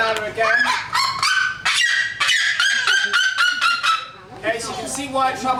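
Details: A captive female red-legged seriema, performing in a trained bird show, starts with a brief softer warm-up note, then gives a loud, far-carrying series of yelping, honking notes in rapid rhythm.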